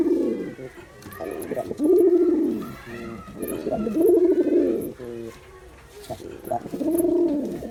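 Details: Male pigeon cooing in three deep, swelling phrases about two seconds apart, each rising then falling, with soft clicking notes between them and faint background sounds.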